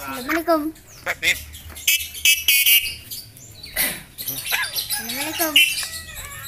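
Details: Talking Javan myna with yellow eyes, copying human words, coughs and greetings; a voice-like run of wavering, formant-rich syllables and sharp clicks over about six seconds, with a person's voice nearby.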